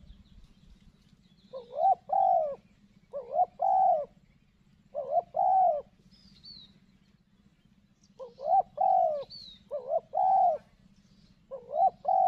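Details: A spotted dove (tekukur) used as a decoy to lure a wild dove, on a morning in a dense, bushy spot near corn and rocks in Lombok, gives low, hollow coos in rhythmic two- and three-note phrases every few seconds over a steady low hum.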